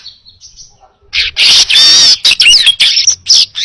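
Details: Baya weaver singing loudly in a recording meant for training other birds: a dense, buzzy, chattering stream of harsh high notes in rapid bursts after a quiet, faint opening.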